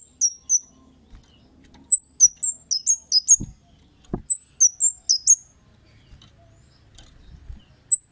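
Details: Lively Kemade 'cit' calling meant to draw replies from other birds. Runs of thin, high, slightly downslurred chips come in clusters, with two short low thumps in the middle and one chip at the end.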